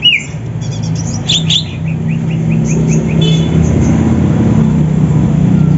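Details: Caged greater green leafbirds from Banyuwangi and Sumatra singing in the morning as rivals, prepared for song contests. A sliding whistle opens a run of quick, repeated, falling chirps under a steady low mechanical hum.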